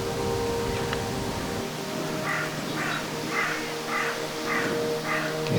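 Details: Carrion crows calling over woodland and farmland on a sunny countryside walk near Hunters Hill and Harrock Hill; a run of six harsh, evenly spaced caws about every half second, over steady hum and background noise.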